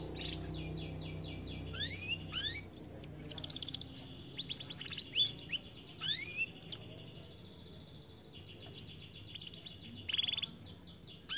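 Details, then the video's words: Canary described as lazy to sing because of its weight: soft, scattered rising sweeps and short trills with a drawn-out whistled note, over a steady low background hum. "Kenari malas bunyi akibat TERLALU GEMUK"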